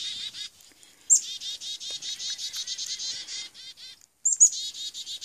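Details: Attacking chickadee caught on an Android phone, giving a long run of quick, even, raspy buzz notes, several per second, with sharp high squeaks at the start and again after a brief gap near the end.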